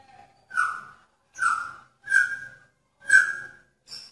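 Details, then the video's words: Caged male magpie-robin courting a female in a pairing cage, giving slurred downward whistles repeated about once a second, four clear notes with short pauses between. "Murai Jantan Menarik Perhatian Murai Betina dalam Kandang Jodohan"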